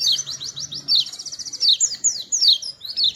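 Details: A small white-eye sings melodiously, repeated downslurred whistled notes at a brisk pace, a rapid trill, then high swooping phrases.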